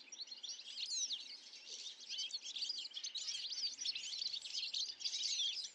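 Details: A flock of European goldfinches in Illinois, USA, giving a dense, continuous chorus of high, tinkling twitters and liquid chirps that overlap without a break, with no other clear sounds.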